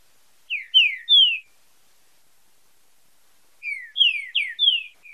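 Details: Green-winged saltator singing 'fibra com marcheado' for song training: a phrase of three loud slurred descending whistles, a silent gap of over two seconds, then four similar whistles.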